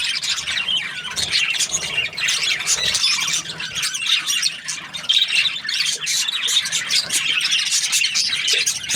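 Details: Budgerigar in a happy mood, keeping up a constant busy chatter of scratchy, squeaky chirps and thin whistles that barely pause across the whole stretch.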